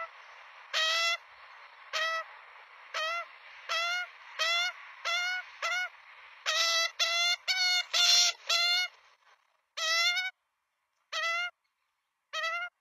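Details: Australian magpie chicks at a nest in Melbourne, filmed by nestcam at feeding time on 23 September 2022, give harsh, nasal, rising squawks about once a second, with several voices overlapping in bursts.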